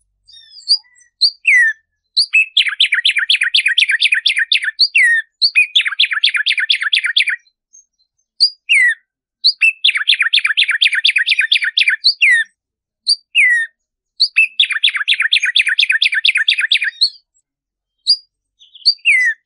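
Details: Black-striped sparrow (Arremonops conirostris) song, used to stimulate captive birds to sing: clear notes speeding into a fast, bouncing trill, repeated in phrases.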